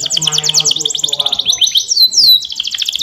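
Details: Yellow canary training song with rapid pulsed high trills followed by sweeping slurred whistles and another fast trill, over a faint low hum.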